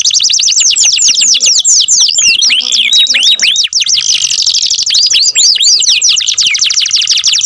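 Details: Canary singing at length in a loud, continuous stream of fast high chirps and curved whistles, with a tangle of rising and falling phrases midway.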